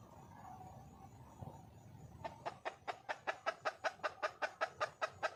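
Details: Red junglefowl hen seeking a male: low background murmur at first, then a sudden start of brisk, evenly paced clucking notes, about two and a half per second, continuing to the end.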